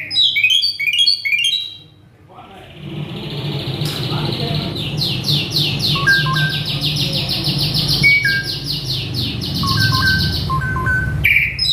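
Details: Excited male Asian pied starling giving a dense mimicry fill: rapid chattering notes, a pause, then a long stream of quick repeated buzzy chips with scattered short whistles, ending in a loud squeal; low background rumble throughout.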